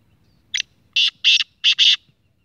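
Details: Short-cut call of a young kala teetar, a black francolin aged six months: a clipped opening note followed by two pairs of rasping, buzzy bursts in quick succession, clear and loud against near silence.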